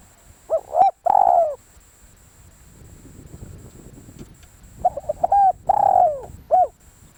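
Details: Spotted dove used as a decoy bird, cooing: a cluster of short soft notes, a long drawn coo sliding downward, then a clipped final coo; the phrase is heard twice about five seconds apart, with a faint steady high whine behind.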